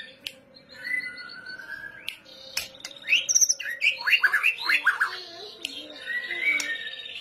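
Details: White-rumped shama (murai batu) in full song, a kretetan lure style: a rich, fast run of varied whistles, slurs and chirps. Sharp clicks and a low hum continue in the background.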